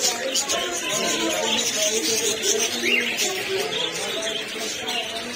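Budgerigars keep up a busy, overlapping warble of chirps, squeaks and scratchy chatter.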